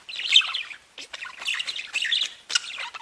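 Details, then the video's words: Cheerful chattering of several budgerigars: rapid scratchy twitters and high squeaks in bursts, with a brief lull about a third of the way through. "Веселое пение волнистых попугайчиков / Funny singing of wavy parrots"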